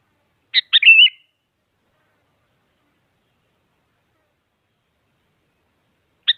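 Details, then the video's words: A sooty-headed bulbul gives a quick phrase of two clipped notes and a liquid warbled whistle, silent five seconds, then one short note; played to provoke quiet bulbuls into singing. "Suara Burung Kutilang Mengajak Lawan Agar Bunyi Bikin Kutilang Diam Semangat Berbunyi"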